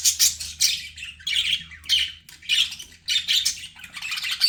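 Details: Budgerigars kept as pets, chirping to reduce stress of lonely birds: loud bursts of squeaky, buzzy chirps in groups separated by short silences, with a faint low hum underneath.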